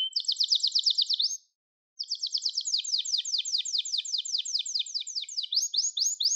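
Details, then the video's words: A Gloster canary gives a fast high trill, falls silent briefly, then pours out a long rolling trill of swept notes ending in rising slurred phrases. "Gloster Kanarya Sesi Ve Ötüşü"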